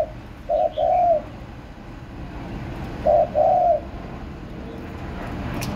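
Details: Spotted dove, recorded 30 March 2024, giving two soft, low cooing phrases about two seconds apart. Each phrase is a brief note followed by a longer, slightly falling coo over quiet background hiss.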